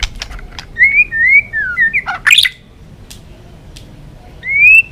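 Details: White-rumped shama song used as a lure to catch birds, the style called balak 6: a few clear slurred whistles, rising and falling, with a rasping burst midway, among clicks and steady background hiss.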